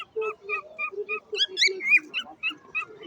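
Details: A parrot singing a strange song: a run of short, nasal, harmonic notes repeated about four times a second, broken midway by a few higher, louder squawking notes before the steady series resumes.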